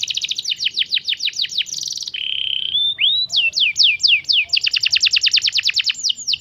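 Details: Young canary singing: rapid series of descending whistled sweeps repeated several per second, a brief buzzy trill, a steady held note, then more fast sweeping phrases.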